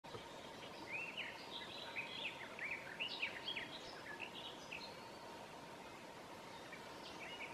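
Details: A garden warbler (Sylvia borin) sings at midsummer in Southern Savonia, Finland, a fast, mellow, even-paced warble of rippling notes, loudest early on, then fading over a steady hiss and faint hum.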